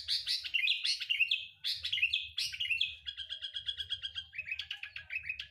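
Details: Sooty-headed bulbul lure recording: loud, sweeping whistled phrases, then a rapid even trill of short notes lasting over a second, followed by a few rising whistles, nearly free of background noise.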